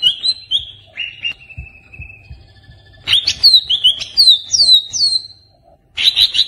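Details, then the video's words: Greater green leafbird song played to make a caged bird sing: a few whistled notes and a long flat whistle, then loud rapid downslurred whistled phrases and a final burst of bright notes. "Pancingan Burung Cucak Ijo Stresss"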